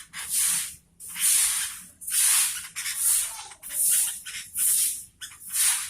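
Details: A series of hissing spray bursts comes about once a second, with short quiet gaps between them. No animal call can be made out.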